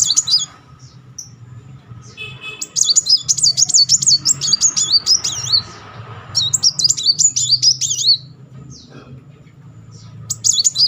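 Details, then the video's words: Rolling, continuous song of a Muncang sunbird, played as therapy to provoke a stalled bird to sing. High wavering trills in long bursts, from about 2.5 to 6 seconds and again near 7 to 8, over a low background hum. "Kolibri Muncang gacor ngeroll || pancingan terapi memancing emosi Muncang macet."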